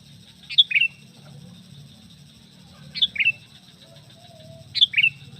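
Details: Sooty-headed bulbul call for attracting other bulbuls, a short two-note whistled phrase stepping down in pitch, repeated three times about two seconds apart over a low steady hum.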